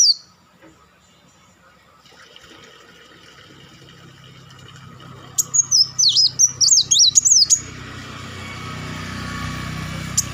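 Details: A two-second burst of rapid, high, zigzagging notes from a purple-throated sunbird (kolibri wulung) rises out of quiet background rumble. Low noise builds afterward.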